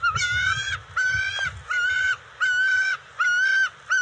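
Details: Juvenile bald eagles at the NCTC nest, June 29, 2021, during eel and fish deliveries; five or six long, level, nasal wails with strong harmonics, evenly spaced by brief gaps.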